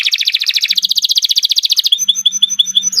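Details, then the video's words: Canary of the Kenari Nusantara type singing long, used for tutoring fighting contest birds: a very rapid rolling trill of repeated high notes, switching to a series of thin, evenly spaced whistled chips. "Kicau Burung Kenari 98 II GACOR PANJANG Cocok untuk Masteran"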